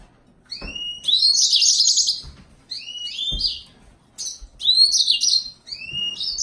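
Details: A yellow-fronted canary sings repeated phrases, each opening with a rising whistle and breaking into fast, high trilled twittering, about four bursts separated by short pauses, with light knocks underneath.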